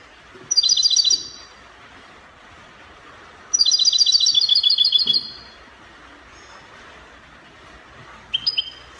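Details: Copia song of a European goldfinch, Morocco: two quick bursts of high, sparkling rapid notes, the second longer, followed after a gap by a brief clear whistled phrase.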